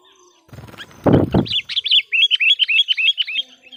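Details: Sooty-headed bulbul used as a decoy to lure wild bulbuls: after two low thumps near the start, a run of short bright whistled notes repeats rapidly, each with a quick up-down twist, about four per second.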